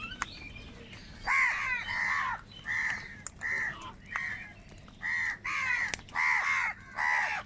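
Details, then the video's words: A large flock of crows fighting for food: harsh, nasal caws with arched harmonic bands, given in separate bursts of about half a second, roughly one to two per second, with faint overlapping calls of other crows behind. "Kaka sound and Noises of Crow Birds | Huge Numbers of Crows Crowing and Crying sounds"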